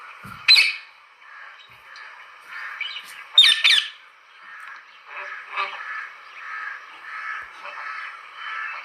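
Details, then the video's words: Parrot giving two sharp, high squawking bursts a few seconds apart, followed by a long stretch of softer warbling chatter. "Parrot's sound!!"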